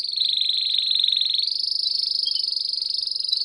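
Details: Belgian canary campainha song for stimulating other canaries to sing: one unbroken high buzzy trill, pulsing evenly about four times per second, stepping up slightly in pitch halfway through.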